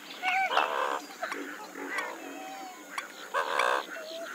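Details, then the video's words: Western swamphen giving loud, harsh, nasal squawks with rich harmonics in two bursts near the start and end, separated by quieter calls over a chorus of chattering and chirping birds. "Western swamphen (Porphyrio porphyrio) Birds Best Call Sound"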